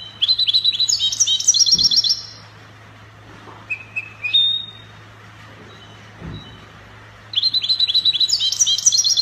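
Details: European goldfinch in Spanish copia style, Morocco: rapid bursts of high, jingling trills at the start and end, with a few thin whistled notes between, over a steady low hum.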